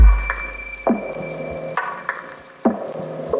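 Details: Woodpecker back at work in the morning, tapping sharp, irregular knocks, about five in three seconds, possibly building a new nest hole after nearby trees were cut down. A steady high tone and soft music run behind.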